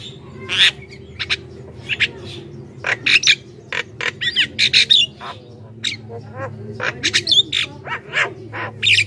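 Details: Javan myna in loud, chattering song used to lure wild mynas: harsh squawks and short whistled notes in quick irregular bursts, with a steady low hum beneath.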